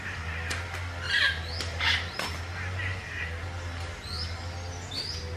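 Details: Wild African grey parrots (Psittacus erithacus) feeding on fruit give two harsh, grating squawks, then short rising whistles, over a steady low rumble like wind or a distant engine.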